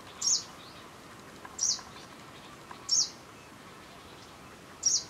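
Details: Lanceolated warblers recorded 30 July 2012 on Christiansø, Ertholmene, Denmark: four crisp, high-pitched single call notes spaced roughly one to two seconds apart, over a low steady hiss.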